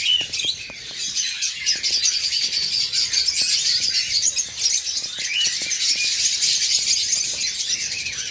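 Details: Eastern rosella pair with young that have just left the nest, one feeding itself and harassed by the male. Dense, high, buzzy chirping throughout, with sporadic clicks.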